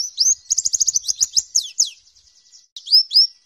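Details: Warbling white-eye song used as a training recording for captive birds: a fast, high burst of thin, sharply slurred chirps, about eight per second, then two more sweeping notes after a brief pause.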